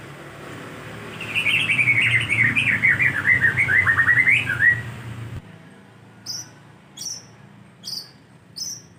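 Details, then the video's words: White-rumped shama song used as a lure to make other birds answer: a rich run of varied whistled, warbling phrases over low background hum, followed by four short high sharp notes spaced about a second apart. "Pancingan bunyi Murai agar nyaut!"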